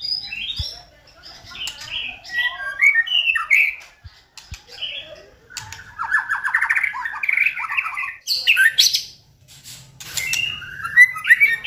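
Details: White-rumped shama song used to provoke another shama: varied whistled phrases, then a buzzy rattling stretch and sharp scratchy notes, delivered in irregular bursts with short gaps.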